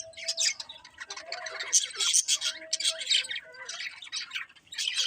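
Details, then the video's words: Several colourful budgerigars chirping, a dense run of scratchy, buzzy high chirps and squawks with short pauses, plus a faint low steady tone in the background. "Cute Colourful Budgies Chirping Sounds"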